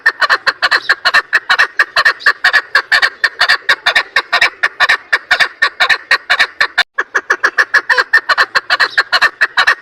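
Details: Female chukar partridge used as a trapping lure, giving a long run of rough, clucking chuck notes at a quick, uneven pace, with a brief pause near the seventh second before the series resumes.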